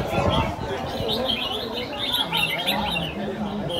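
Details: Competition final at Diên Khánh, Vietnam, with red-whiskered bulbuls singing short, lively, warbling bursts in quick succession, while people chatter nearby and low murmurs run underneath.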